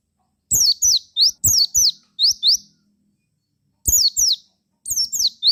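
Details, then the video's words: ['Javan white-eye singing to provoke other white-eyes to respond: loud high-pitched chirp bursts mixing downward-sliding whistles and quick upswept notes, delivered in three clusters with short gaps, clean background.'] "KICAU PLECI GACOR RAJA PIKAT INI,JAGONYA BIKIN PLECI LAIN NYAUT GACOR BUKPAR."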